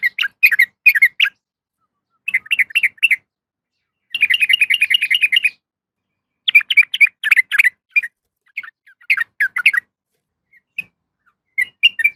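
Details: Yellow-vented bulbul female calling for a male: bursts of bubbly chirped notes separated by pauses, including one long, even rattling trill, clear against a quiet background.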